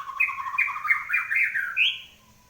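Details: White-rumped shama, a kept bird singing actively after its moult: a quick run of warbled phrases that step between mid and high pitch, ending on a brighter, higher rising note before falling quiet.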